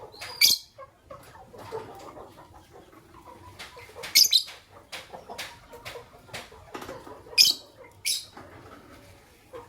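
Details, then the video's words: Morning chirping of Fischer's lovebirds, a white albino and a pastel green: three loud, shrill, squeaky chirps a few seconds apart, with fainter ticks and rustles between them. "Lovebird Chirping Sounds - White Albino with Pastel Green Fischer's"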